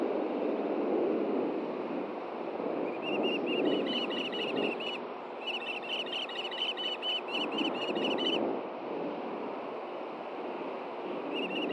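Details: Osprey pair at a Hellgate Canyon, Montana nest camera, June 6, 2014, 9 AM, during a fish delivery; several bursts of rapid, high whistled chirps separated by pauses, with a loud rushing, wind-like background.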